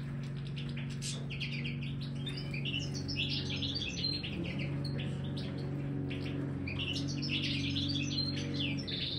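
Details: Aviary-kept Major European goldfinch with a marigold snack: lively bursts of tinkling chirps and short trills repeat through the recording, backed by a persistent low hum.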